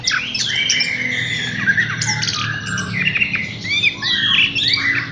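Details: Horsfield's bush lark kept in a hanging cage, singing a varied run of long slurred whistles and squeaky rising and falling notes mixed with harsh chattering, steady and unbroken.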